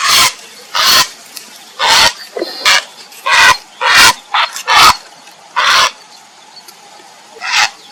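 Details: Harsh, grating squawks from a grey heron calling for a mate, delivered in an irregular run of about a dozen calls with brief gruff notes mixed in, then a pause before a final call.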